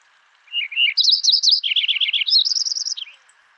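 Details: Lincoln's Sparrow song, a rich, bubbly run of fast trilled phrases that jump higher, dip lower, then end in a high, buzzy trill; distinctive song.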